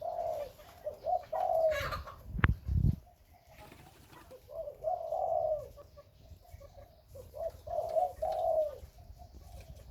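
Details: Breeding spotted dove, Khmer and Malay dove type, cooing in low mellow phrases that repeat every few seconds; a sharp knock or thump interrupts early on, with light chirping faintly behind.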